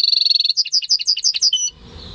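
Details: Home-bred European goldfinch × canary hybrid, May 2015, singing a quick high trill that breaks into a series of separate bright, ringing chirps at a steady pace, closing on a thin drawn-out whistle.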